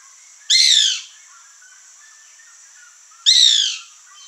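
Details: White woodpecker (Melanerpes candidus) in a backyard with fruit trees in Brazil, giving two harsh nasal squawks close together, each about half a second, spaced nearly three seconds apart, with constant insect hiss behind.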